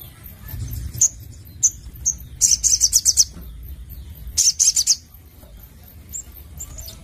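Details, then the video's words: Sogon (Ruby-cheeked sunbird) singing in 'nembak nglaper' style: scattered single high-pitched chips, then two short bursts of quick shrill notes, with further sparse chips trailing off over low background noise. "Burung Sogon Gacor Nembak Nglaper Mantap"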